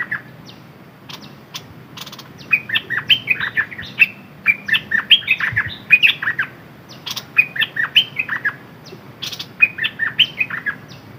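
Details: Decoy red-whiskered bulbul delivering repeated bursts of cheerful, rolling whistled phrases, each cluster of four to six notes separated by short pauses, sharp clicks scattered between phrases.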